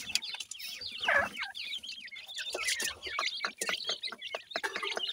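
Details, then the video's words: Pakistani teetar partridge babies at feeding time: a dense chorus of thin, high chirps and rising peeps overlapping continuously, with soft clicks and rustles mixed in. "partridge birds, pakistani teetar babies feeding"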